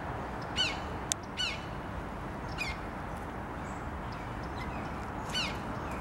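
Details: Red-shouldered hawk squeaky call recorded on 25 February 2023. Four short, high, squeaky notes drop in pitch and come at uneven intervals over a steady low rumble of background noise.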